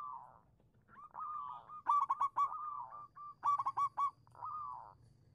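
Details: Local zebra dove singing as a lure to set silent doves calling: even rows of short mid-pitched coos broken by bursts of rapid, rattling notes.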